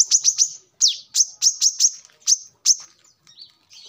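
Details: Brown-throated sunbird song, used as a lure and as a model for training caged birds: rapid bursts of sharp, very high chirps in quick groups of two or three, then softer, lower twittering notes.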